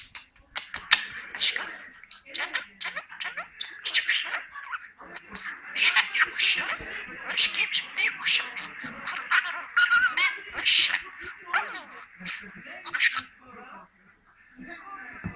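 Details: Budgerigar talking in a long run of fast, gravelly mimicked syllables mixed with chirps and warbled squeaks, steady and busy throughout before tapering into quieter muttering near the end.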